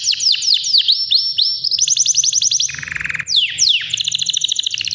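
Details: Canary, white, about three years old and ready to breed, in powerful continuous song: swooping downward notes, rapid rattling trills, a lower buzzy rolled section, then sharp descending sweeps and high fast trills.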